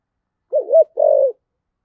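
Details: Spotted dove decoy call of the 'thổ sấm' style: one low coo phrase made of a short double hoot, then a drawn-out, faintly vibrating note that falls away at its close, with quiet surroundings.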